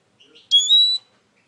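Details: A single drawn-out, rising then level high whistle from a Eurasian siskin, preceded by faint soft twitters.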